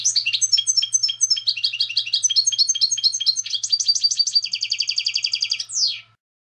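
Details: European goldfinch singing clean competition song meant for teaching novice goldfinches: long run of bright twittering syllables that speeds into a rapid buzzing trill, ending in a falling slurred note; faint low hum throughout.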